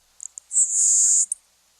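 LeConte's Sparrow song: a few thin high ticks, then a long, very high, insect-like buzz like a grasshopper, ending in one sharp tick.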